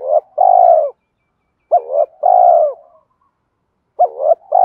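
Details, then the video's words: Fighting coo of a spotted dove used to draw wild doves to a trap: low mellow phrases, each a hooked upslurred note and a long drawn-out coo, repeated roughly every two seconds. "tiếng cu gáy Thúc Đấu bổi nghe nhanh gáy và nhanh về cội khi đi gài"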